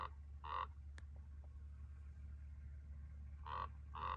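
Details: Chihuahuan raven imitating a car's bells in Luna County, New Mexico, Chihuahuan Desert: two pairs of brief nasal, bell-like harmonic notes, separated by a three-second gap, with a faint click and a constant low rumble underneath.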